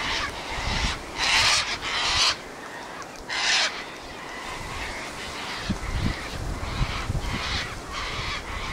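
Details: Sulphur-crested cockatoos gathering on a windy day, screeching: several loud, harsh screeches of about half a second each in the first part, then fainter squawks over steady wind noise.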